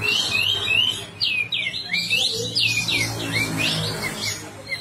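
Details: Energetic Sooty-headed bulbul song, the bird spreading its tail, kept as a training recording for other birds: a dense run of fluty whistled phrases sweeping up and down, repeated without pause.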